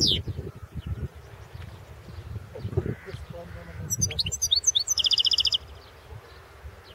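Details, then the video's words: Competition-entered European goldfinch at a 2016 world singing championship: after a stretch of low rumble and faint voices, a quick phrase of sharp high chirps leads into a fast, evenly repeated buzzy trill. "World championship in Goldfinch Song 2016"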